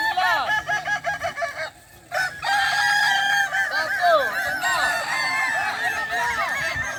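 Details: Kukuak Balenggek roosters crowing at a boko-class competition final held at a dairy farm in Solok regency; rapid pulsed crow notes, then a brief lull, followed by long sustained, overlapping crows with bending tones from multiple birds.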